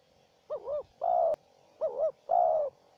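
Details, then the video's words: Spotted dove exchanging calls with a decoy bird. Two rapid phrases of a trembling double coo followed by a drawn-out coo, with a sharp click between them and a low hum underneath. "Pikat dan Terkukur Liar Adu Suara"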